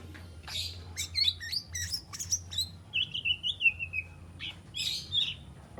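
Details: Three-month-old spotted white-rumped shama practising its fill: high, sharp snapping notes interspersed with a thin, level whistled trill, delivered quietly and unevenly.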